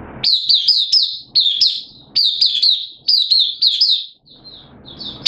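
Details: Hobby-kept oriental white-eye in open song, 8 September 2022, form dipped a little: repeated runs of high, sharp downslurred chirps in quick phrases with short pauses, trailing into faint room noise and a final chirp.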